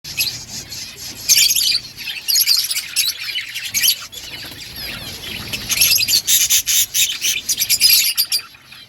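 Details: Budgerigars eating green food chatter in bursts of high, bright chirps and twitters, loud clusters near the start and a denser run of rapid notes toward the end.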